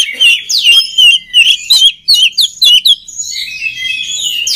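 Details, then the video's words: Oriental magpie-robin song used to train other birds, loud rising and falling whistles in rhythmic bursts, then softer sustained high notes trailing off. "SUARA KACER PALING DI CARI UNTUK MELATIH MENTAL KACER LAIN AGAR CEPAT GACOR"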